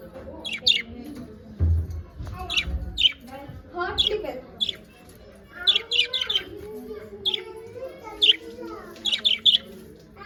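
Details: Budgies chirping steadily, a run of bright clipped squeaks every half second or so mixed with softer gurgling warble and a low thump near the start.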